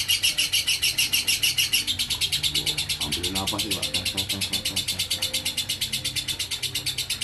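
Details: A lovebird keeps up a ngekek konslet trill, quick shrill buzzy pulses running without break while a human voice speaks briefly in the middle.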